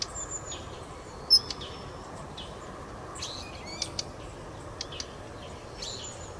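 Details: Daurian redstart, male and female, giving calls: scattered brief high ticks and thin whistled notes, one louder sharp note early on, spread irregularly over a steady low background hum.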